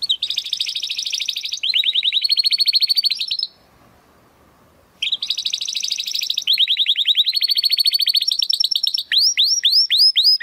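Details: Belgian canary singing in the estralando style: rapid rolling trills of repeated high notes, a short silent pause midway, then more trills ending in a series of sweeping falling notes.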